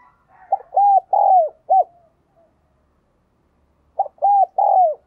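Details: Two cooing phrases from a decoy spotted dove luring wild doves, about three seconds apart. Each has short hooped notes and a longer coo that falls away, and the first ends with a clipped extra note.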